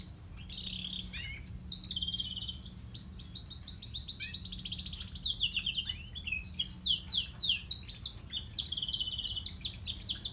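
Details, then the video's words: Grey and crested canaries sing a continuous, fast run of bright rolling trills and high chirps that shift in pitch, over a low steady hum. "Canarios cantando"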